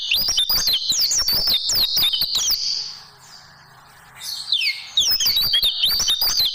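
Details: ['Tutoring song for caged oriental white-eyes (pleci), champion tembakan type: energetic bursts of piercing, rapidly alternating whistles and chips, broken by a quiet pause of around two seconds, then another fast chattering burst.']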